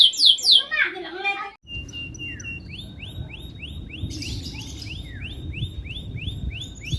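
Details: Domestic canary song from Indonesia, played to coax silent canaries into singing. Quick falling notes give way, after a cut, to an even train of repeated rising chips against a soft background rumble.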